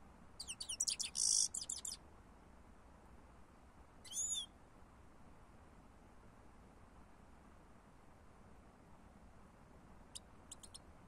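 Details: European goldfinch giving a burst of bright, high twittering notes, then a short chirp cluster a few seconds later and faint ticks near the end, separated by quiet gaps.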